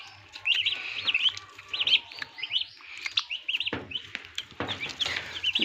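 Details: Hatching turkey poults in an incubator machine on a farm in Assam, clear repeated high arched peeps, about one and a half per second from several chicks, with a few knocks and a low hum.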